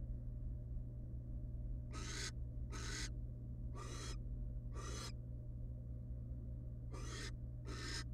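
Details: Wild barn owls of one family resting together in a nest box give six rasping hisses, mostly in close pairs with short gaps between, against a constant low hum.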